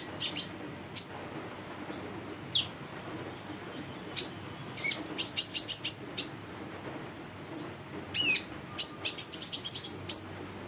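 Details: Lively female Brown-throated Sunbird used as a lure for young birds: rapid runs of very high, sharp ticking notes and thin descending squeaks, some bursts of several quick chips, separated by short pauses.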